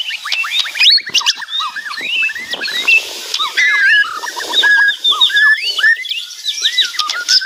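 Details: Loud, busy White-rumped shama song of many short whistled slurs and upward-flicking notes tumbling over one another, with a faint hiss of background noise throughout.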